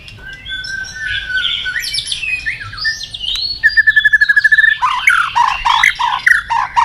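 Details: White-rumped shama delivering full, varied song used to provoke other shamas: shifting whistles and buzzy notes, then a rapid even trill of about a dozen notes, followed by jumbled mimic-like phrases.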